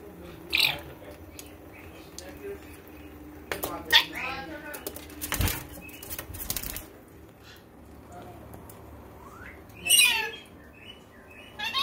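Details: A pet rainbow lorikeet bathing in a kitchen sink gives brief, harsh screeching calls between bursts of splashing and fluttering wings.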